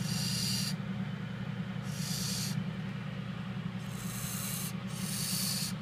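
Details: Captive Indian scops owl chick, hatched 12 or 14 May 2014, gives harsh, hissing screeches, each about half a second to a second long, repeated every couple of seconds over a steady low hum.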